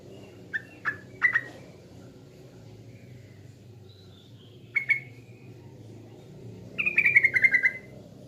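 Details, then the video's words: Yellow-vented bulbul from East Java, a lure recording. Sparse, short chirped notes with quick downward slurs, a few separate phrases with long pauses, ending in a brief run of descending notes over low background hum. "PANCINGAN TRUCUKAN PALING DI CARI‼TRUCUKAN JATIM"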